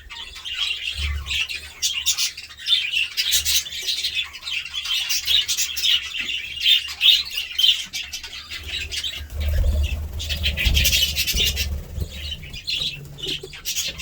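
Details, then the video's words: Budgerigars, kept as pets, giving dense chattering chirps and squawks almost without pause, with bursts of wing flapping or movement and low thumps around the tenth second. "budgie sounds"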